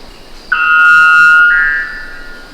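White Bellbird giving one loud, ringing, metallic two-part call: a long bell-like tone that steps up to a second, higher note, then fades.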